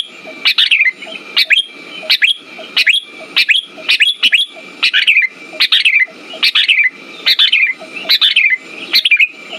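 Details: Sooty-headed bulbul song used to lure and prompt silent birds: a long run of short, lively whistled phrases, each dropping at the end, repeated a little faster than once a second over a faint whine and low murmur.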